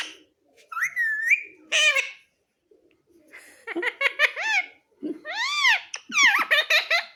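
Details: Talking parrot kept as a pet, reported to say "mummy papa": a rising note and a harsh burst, a pause, then a rapid run of stacked, arching, harmonic syllables and chattering notes.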